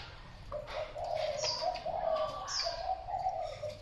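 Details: Thai spotted dove with a continuous run of low, gentle rolling coos, rising and falling slightly; a couple of short high whistles from another bird sound over a hissy background.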